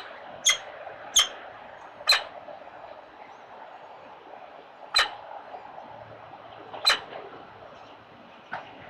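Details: Urban Peregrine Falcon nestlings, four newly hatched chicks being fed, give short piercing squeaks in an uneven series, three close together, then scattered single chips after long pauses.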